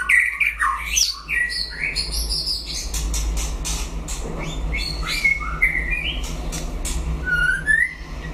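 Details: White-rumped shama in a singing contest with a rival bird: a varied run of sweeping whistles, rising and falling slurs and sharp clicks, ending with drawn-out rising whistles, over a steady low background hum.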